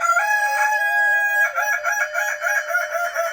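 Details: Kukuak Balenggek chicken from Padang, West Sumatra, crowing loudly: a long steady harmonic note, then a rapid stuttering run of short broken segments.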